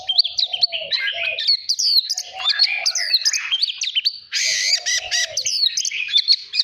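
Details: Song of a caged white-rumped shama in a training session meant to spur competitive singing. Bubbling, varied whistles and trills are punctuated by harsh bursts, with a steady lower warble returning twice.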